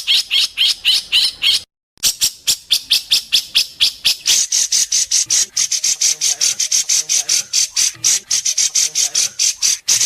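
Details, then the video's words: White-rumped shama singing in an Indonesian contest, sharp 'besetan' from its 'masteran' repertoire: long series of crisp, high, clicking strokes repeated several per second, a brief pause near two seconds, growing denser and brighter later. "Masteran besetan tajam!Langsung dikunci para juri"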